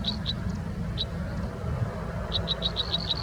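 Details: American robin nestlings in the nest, being fed by a parent, give thin, high peeps, a few scattered and then a quick run of about eight, over a steady low rumble.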